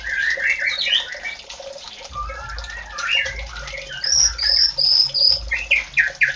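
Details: White-rumped shama singing energetically: varied quick whistled phrases and chirps, some high, thin and repeated, others lower and warbling, over constant splashing water-like noise.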